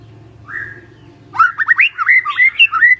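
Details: A Magpie-robin gives a single drawn-out whistle, then a quick run of looping, twisting whistled notes that rise and fall, repeated several times in under two seconds.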